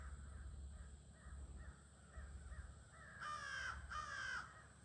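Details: Crows at a near-evening gathering, usually hidden in trees, on 22 August: first softer distant caws, then two loud harsh caws close by, over a steady low rumble and a faint high hiss.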